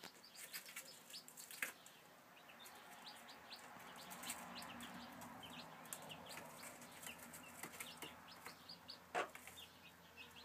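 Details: Chicken chicks recorded in 2013, giving short, thin, high peeps scattered irregularly throughout, mixed with sharp clicks, taps and rustling close by against a steady low background hum.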